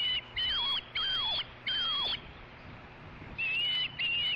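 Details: Osprey at a ranch nest camera, evening of 22 August 2013, as one bird is chased off before a fish delivery; clear high whistled notes, each slurring down at the end, given in a loose series with a short pause, steady low hum behind.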